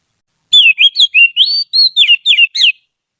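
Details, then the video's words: Trained Oriental magpie-robin, used to teach song to other birds, delivering a rapid string of about nine sweet whistled notes, each a quick slur up or down, in a clear, quiet setting. "Suara burung kacer terlatih || cocok untuk MASTERAN"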